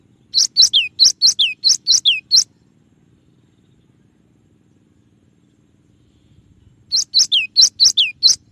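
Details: Song variation of the cinereous tit (gelatik batu), clear-voiced tutor recording: a fast phrase of about nine high chipping and downslurred notes, a four-second silence, then a second similar phrase.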